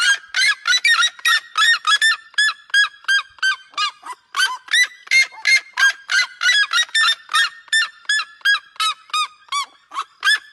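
A seriema gives loud, yelping, strongly ringing notes, about three per second, in an unbroken barking series with slight rises and falls in pitch.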